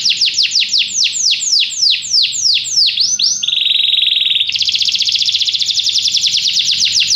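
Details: A canary sings a run of sweeping downward whistles, switches to a steady mid-pitched rolling tone, then ends on a fast, bright high trill.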